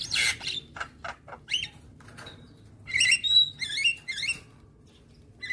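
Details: Javan myna master recording for training young birds, played every morning to bring on full song with head-bobbing: harsh broadband bursts, short clicking notes, then a run of bright twisting whistles and chattering phrases, with a low steady hum beneath.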